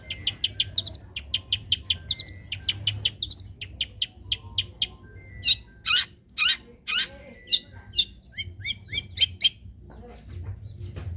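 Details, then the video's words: Song of a young long-tailed shrike from the wild: quick series of short high chirps, then loud harsh rasping notes and scattered squeaky twitters, with a faint low hum underneath. "suara asli cendet muda hutan"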